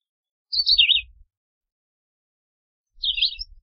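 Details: Philadelphia vireo repeating short, warbled phrases that dip and rise, about two and a half seconds apart, over a faint low rumble.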